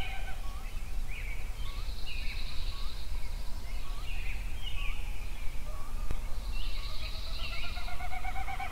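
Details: Several songbirds sing in a sunrise chorus from 4:40am on 15 June 2013 at the mouth of Pelican Creek on Yellowstone Lake. Short rising chirps, high buzzy trills and clear whistled phrases play over a steady low rumble of wind or distant noise.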